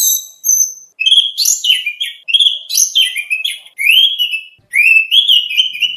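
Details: Oriental magpie-robin, or kacer, performing contest training song: high thin whistles lead into repeated bouts of warbled, wavering phrases and slurred rising-falling notes, each bout about a second long.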